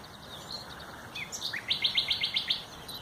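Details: Nightingale song recorded 30 April 2021: a few thin whistles and a sliding note, then a loud run of six or seven rapid, sharp repeated notes near the end of the phrase.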